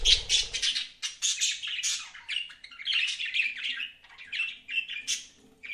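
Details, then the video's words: A steady tumble of high, squawky budgie chirps and chatter runs without pause, with a low knock at the start. "BUDGIES CHIRPING SOUND"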